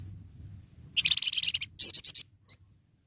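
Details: Flamboyan bird singing gacor mbeset: a dense, rapid buzzy chatter lasting nearly a second, then four or five louder, sharp pulsed notes in quick succession, and a single thin high note to finish.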